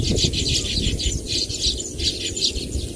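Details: High buzzy chattering from Baya weaver birds, bursts of sizzling notes repeated several times a second, set against a loud low-frequency rumble.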